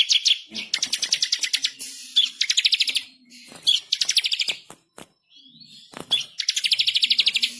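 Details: Bar-winged prinia, singing vigorously, with repeated bursts of fast, harsh, evenly pulsed high notes, several trills in quick succession broken by brief gaps and a few clicks.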